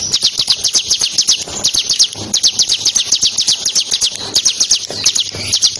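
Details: Ciblek Kristal, the bar-winged prinia, singing eagerly in ngebren style as training sound for competition birds. Quick, shrill, descending chips come in uneven bursts, with soft low rumbling in the background.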